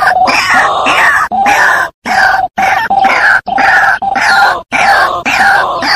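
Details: White-breasted waterhen calls used as a lure recording: loud, harsh, croaking phrases with a steady nasal tone, repeated in bursts about every second and separated by short silences. The sound is heavily distorted.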